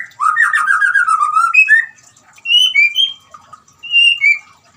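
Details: White-rumped shama singing, to get a silent caged shama going: a fast buzzy trill, then spaced pure whistled notes, some rising and some falling.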